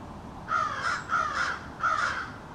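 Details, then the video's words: Three harsh, drawn-out caws evenly spaced about half a second apart, part of an extended conversation within a small family of American crows hanging out in a backyard. "American Crows Calling"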